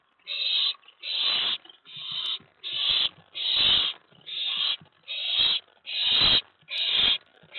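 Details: Owlet inside a nest box at night, 19 May 2017, excited as another owl arrives at the tray after a mouse delivery; harsh, raspy hissing bursts repeat a little faster than once per second, about ten in a row.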